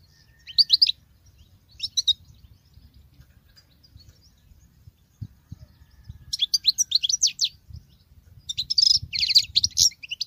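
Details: Female European goldfinch, caged, singing like a male: a couple of short chirps early on, a long silence with faint low rumble, then rapid twittering and buzzy trilled phrases toward the end.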